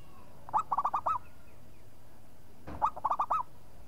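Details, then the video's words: A vocal local zebra dove answers straight away with two clear phrases. Each is one short opening coo followed by a rapid run of four rolling, up-and-down coo notes, spaced about two seconds apart over a quiet background. "SEKALI TUT LANGSUNG NYAUT PERKUTUT LOKAL GACOR"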